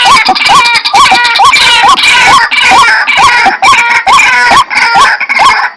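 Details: Lure recording of white-breasted waterhen calls: a dense run of loud, rising, nasal notes about two per second, overlaid with harsh, crackling broadband noise.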